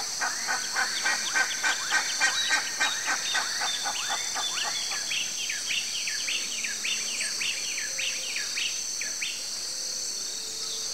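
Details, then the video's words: A Campo flicker (Colaptes campestris) gives a rapid series of loud, ringing notes, about three per second, with a steady high insect buzz throughout. "PICA-PAU-DO-CAMPO (COLAPTES CAMPESTRIS), CAMPO FLICKER"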